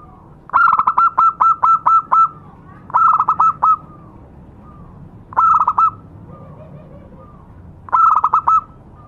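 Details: Zebra dove, local type, giving a lure song: bursts of rapid, evenly pulsed mid-pitched coos, the first phrase long with about seven beats, later ones shorter, repeated every two to three seconds.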